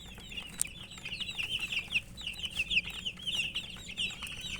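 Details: Baby chickens (murgi chicks) chirping from thirst for drinking water: a dense, continuous stream of high, short peeping notes overlapping one another, with a low background hum throughout.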